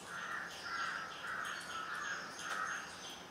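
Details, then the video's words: Juvenile grey hornbill giving a series of five mid-pitched, slightly nasal notes, repeated about every 0.6 seconds against a faint, steady background hiss. "Juvenile grey hornbill"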